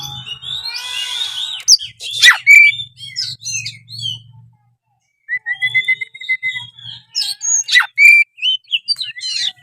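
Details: Oriental magpie-robin (kacer) in constant gacor song, meant to trigger silent kacer into singing: a run of sweet whistles and harsh chatter, a short silence, then more clear whistled notes and rising slurs; a faint low hum underneath.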